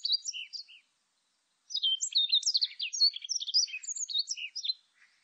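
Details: High, fast twittering song of a Warbling white-eye: a short burst of thin chirps, nearly a second of silence, then a long tumbling warble of bright slurred notes fading out; 2020 national biological resources recording.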